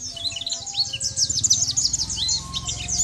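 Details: Sunda white-eye in full song for training other birds, a jumbled rush of high chirps and slurs without pause, backed by a low pulsing hum.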